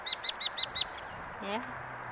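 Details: A Song Sparrow sings at one of its favourite spots by a salvia bush at Alviso Adobe Park on the morning of Saturday 9 January, a quick run of six bright, high, evenly spaced notes, then stops; a person's voice follows briefly.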